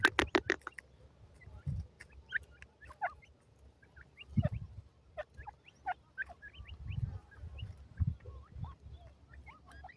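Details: Female Indian francolin (teetar) calling: short rising and falling chirped notes, scattered and irregular, over a low rumbling background with a few sharp clicks at the start.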